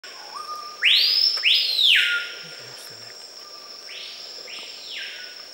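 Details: Screaming piha in Manu National Park, Peru, Amazonian forest, summer 2012, giving its ringing, whip-like 'pee-pee-yo' of two explosive upswept whistles, then a fainter distant answer, over a steady high insect drone.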